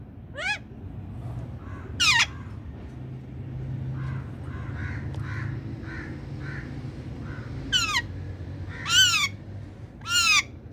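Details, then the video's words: A pet talking ring-necked parakeet gives five loud, harsh, bending squawks, two early and three close together near the end, with softer chatter between, over a low indoor hum. "Green Talking parrot speaking with my new parrot"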